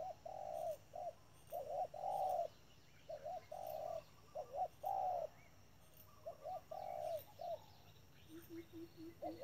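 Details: Caged spotted dove serving as trap decoy, delivering its urging 'thúc' coos: runs of soft, deep notes, some drawn out and others clipped, separated by brief gaps, with a faint low rapid series near the end.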